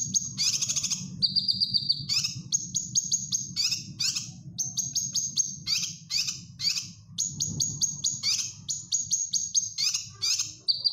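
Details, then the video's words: Gacor cucak kinoy, or grey-cheeked bulbul, singing a training song for caged birds: quick runs of high chirps alternate with short buzzy bursts, then a brief lower whistled phrase, all continuing for eleven seconds. "Cucak Kinoy Gacor Masteran"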